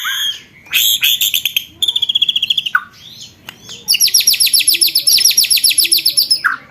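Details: White-rumped shama, training recording for contest birds: a loud, very fast, high-pitched rattling trill in long runs, separated by brief pauses and low slurred notes.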